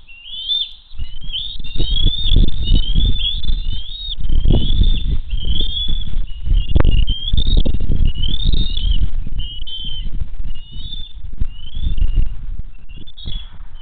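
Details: Bald eagle family at Hays coming in for dinner, June 22, 2023: continuous high chirping and chittering calls throughout, nearly buried under loud, steady low rumbling noise, likely wind.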